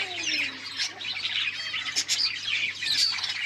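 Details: Pet lovebirds during nonstop mating give a dense, continuous high chatter of overlapping squeaks and chirps. A faint low hum runs underneath.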